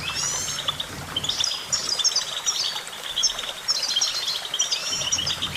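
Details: Goldfinch song: rapid, dense twittering of short chirps and liquid trills in bursts, several phrases overlapping, with a faint low hum in the background.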